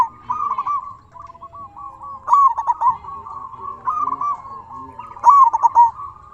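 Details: Singing local zebra dove, meant to stir quiet doves into calling back: a rolling purr punctuated by sharp trilled phrases about every one and a half seconds, several voices overlapping.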